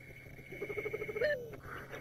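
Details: A Southern white-faced owl (Ptilopsis granti), formerly called white-faced scops owl, calls from a drainage line at some distance at sunset in the African bush: a quick, low stuttering run of about ten hoots ending in a longer, drawn-out falling note, over a steady high whine.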